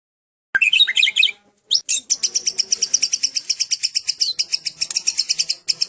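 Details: Long-tailed Medan white-rumped shama singing in full cililin style: a brief bright high flourish, a short pause, then a long fast run of sharp, evenly repeated high chirps, about eight per second, continuing to the end.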